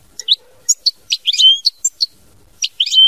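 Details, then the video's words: European goldfinch in lively song: close, high twittering notes mixed with drawn-out, slightly buzzy slurred tones, delivered in an irregular stream. "Chant Chardonneret mama binette"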